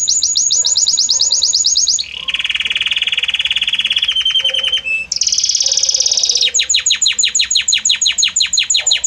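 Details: Belgian canary singing a varied, harmonious song: rapid trills of high whistled notes, shifting to a steady lower buzzy roll, a brief pure tone, then fast repeated chirps, each phrase gliding gradually into the next.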